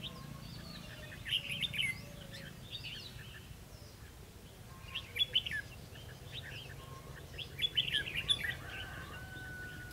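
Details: Red-whiskered bulbul recorded during a trapping session on 11 November 2016: three bursts of quick, bright warbled phrases about every three seconds, with a steady low hum underneath.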